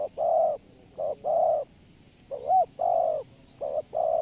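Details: Decoy spotted dove kept to lure wild doves into a trap, calling low mellow coos in short-long pairs with one bouncing, hooked note midway, pauses of under a second between phrases.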